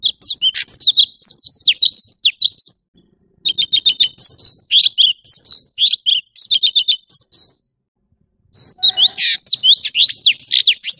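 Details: Orange-bellied leafbird: long bursts of quick, varied high chirping with sharp slurred whistles and harsh buzzy bits, separated by silent gaps around three and eight seconds.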